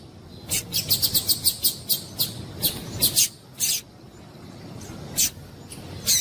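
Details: Female Double-collared seedeater (coleiro) giving calls meant to excite a male to sing: a quick run of high, thin chips about four per second, then scattered louder chips with pauses, low hum behind.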